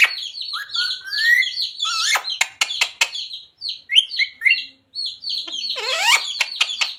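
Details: Pet parrot that talks "Radhe Radhe" and "Sita Ram", here mostly chattering: shrill squeaks, sliding whistles and sharp clicks, with a steady high whine running underneath.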